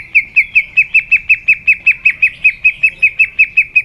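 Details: White-rumped shama in competitive song: a fast, regular series of about seventeen short, bright, down-slurred whistled notes, all at one pitch.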